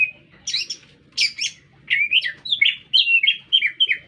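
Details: Brief, vigorous lesser green leafbird song in an urban setting: rough high bursts, then a quick sequence of clear whistled notes dropping in pitch, faint low hum behind.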